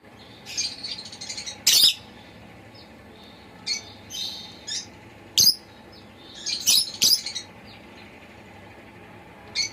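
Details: Pet lovebird chirping indoors: scattered bursts of sharp, high, buzzy chirps, some in quick clusters, separated by quiet pauses, with a faint low hum beneath.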